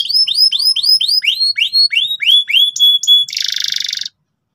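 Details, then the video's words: Canary in loud, persistent full song, meant to help young canaries learn to sing: repeated rising-then-falling whistled slurs about four per second, then a sustained buzzy rattle before stopping abruptly. "suara kenari gacor ngotot keras biar kenari paud cepat belajar bunyi ngeriwik"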